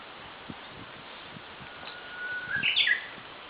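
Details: Japanese bush warbler in morning drizzle, singing a long thin whistle that swells into an emphatic two-part warbled ending, with light patter of rain and soft low thumps in the background.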